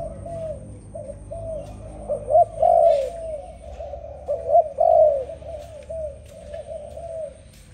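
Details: Soft, low dove song: quiet murmured coos build into two louder, rolling phrases that rise and fall, then fade back to gentle cooing.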